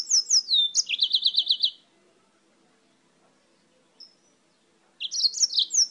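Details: A yellow-fronted canary from Spain sings busily: high bright notes, then a fast series of about eight identical buzzy chirps, a short pause with one faint thin note, then the high chattering song starts again.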